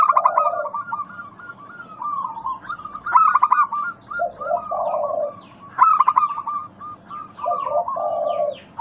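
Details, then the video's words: Local zebra dove calls serving as a lure so other doves answer. Low, trilling coos repeat three or four times among continuous high chattering notes and occasional loud chirp bursts. "Pancingan Ampuh burung perkutut lokal bikin nyaut kutut sekampung Untuk Atasi macet bunyi"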